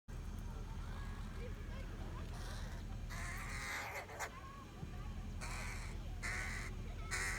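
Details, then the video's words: Crows croaking, heard as harsh, raspy caws in short bursts of two or three, with a pause in the middle, over a steady low rumbling hum. "What the crows say"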